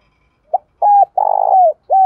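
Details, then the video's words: Male and female spotted dove decoy voices meant to excite wild-caught birds: a short coo, a level held note, a long buzzy coo that bends downward, and the start of another, with nothing else audible. "Tiếng chim cu gáy thúc đấu/ chim cu mồi thúc đấu giúp chim cu gáy bổi gáy theo, và nhanh nổi"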